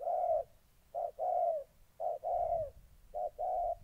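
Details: In Gia Lai, Vietnam, a moulting decoy spotted dove confronts an aggressive wild dove on 14 August 2020. Soft paired coos, a brief note followed by a drawn-out one, repeated about once per second.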